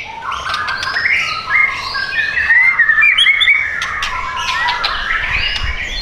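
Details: White-rumped shama, a caged bird offered for sale in South Tangerang, Indonesia, singing a continuous run of varied whistles, trills and slurred notes, with sharp clicks mixed in and no pauses.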